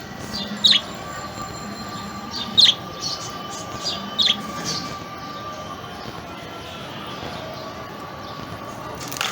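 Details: A female pet budgerigar, recovering from serious illness, gives three short, sharp, high chirps spaced about two seconds apart over a steady hum.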